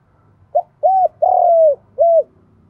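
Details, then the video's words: Spotted dove calling in the morning to lure other doves, in a clear cooing phrase: a short note, then two mellow hooting coos, the middle one long and drawn out, ending with a final shorter coo. "Chim cu gáy giọng đồng gáy gọi bổi buổi sáng"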